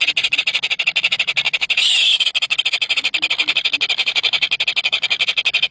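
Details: Three hungry baby birds chatter in fast, regular high pulses, roughly eight per second, broken near the two-second mark by a brief louder continuous squeal before the pulsing resumes.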